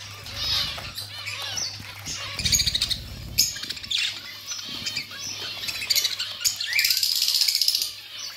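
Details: Budgerigars chirping and chattering: scattered high sharp notes building to a run of fast repeated chirps near the end, with a brief low thump partway and a steady background hum.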